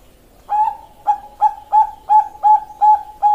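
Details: Zebra dove of the Bangkok perkutut type singing in the kliuk style, recorded 27 February 2023: a rapid run of about eight short, clipped, hollow cooing notes on one steady pitch, repeated roughly three times a second after a brief quiet start.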